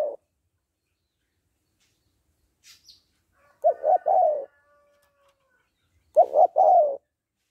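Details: Female spotted dove calling to rouse a male: two three-part coos about 2.5 seconds apart, each with two short throaty notes and a longer falling note, in a quiet setting.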